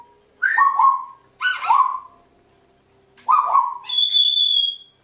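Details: Two pet African grey parrots perched atop a kitchen door shortly before bedtime, making winding-down noises: throaty descending calls near the low register, repeated in bursts, ending with a steady high whistle.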